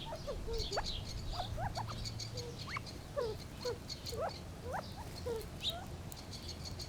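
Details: Gambel's quail uttering soft, quick rising notes and little slurred chips at irregular intervals, several birds seemingly calling together, with a low faint hum beneath.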